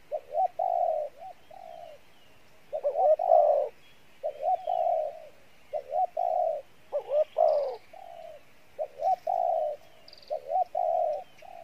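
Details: Spotted dove with a good voice singing in the 'pha bài lối' coo style: soft, low hooting coos grouped in short phrases of two to four notes, each phrase separated by brief pauses, some notes rising and swelling, over a quiet background.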